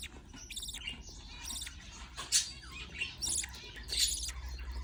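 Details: Budgerigar chicks fed by their parent give harsh, nasal squeaky notes in short groups with uneven pauses, over a constant low droning hum.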